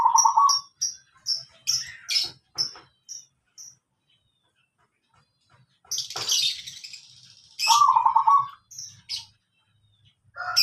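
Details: Perkutut (zebra dove) calling in slow style: a short, low, rolling coo opens, then sharp high chirps from other birds, a burst of broadband noise, and a second warbling coo near eight seconds.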